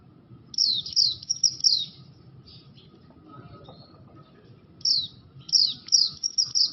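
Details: Oriental white-eye, Bustomi/Buxto type, in full unusual song: two bursts of quick, high, sharply falling chirps separated by a pause of about three seconds, with a faint low hum throughout.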